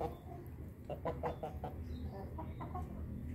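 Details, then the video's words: A Bangkok hen, just after drinking, gives a 'laughing' crow: a quick run of about six short, clipped, repeated notes in under a second, then a few fainter ones, over a steady low background hum. "ayam babon bangkok ketawa berkokok"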